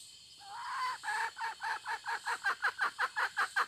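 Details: A hen calls: one drawn-out opening note, then a fast, even run of short clipped clucks, roughly three per second, growing slightly louder and sharper toward the end.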